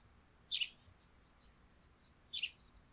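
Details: On a dew-soaked thatched roof at morning, a sparrow gives two crisp, high chirps spaced nearly two seconds apart, separated by quiet steady hiss.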